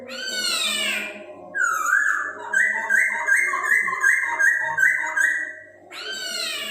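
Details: Chinese hwamei singing, song used to arouse breeding urge in other birds: a harsh descending slurred phrase, then a run of bright whistled notes repeated rhythmically, ending with another harsh sweeping phrase.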